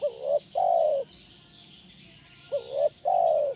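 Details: Kuk 1 song of a spotted dove, played as therapy for training birds: a short upswept coo, a curving coo and a long sustained coo, the whole phrase repeated after a pause of about 2.5 seconds.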